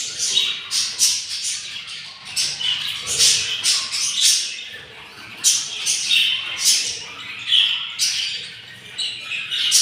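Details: Yellow budgerigar nestlings, hungry at day 7 from a four-egg clutch, repeat short, buzzy rasping begging notes in a steady chatter of many quick bursts.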